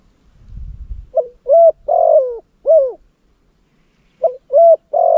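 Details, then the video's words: Decoy spotted dove in Cambodia, kept for luring wild doves, giving loud hollow cooing notes in two bursts separated by a pause, each note clipped and slightly falling, after a brief low rustle at the start. "Terbaik Pikat Terkukur Cambodia"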